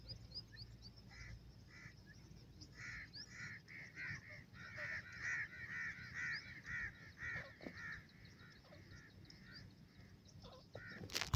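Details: Iranian teetar, a partridge, calling in a steady run of arched, ringing notes about two per second that swell in the middle and fade. Faint high twittering plays throughout, and a sharp click sounds at the end.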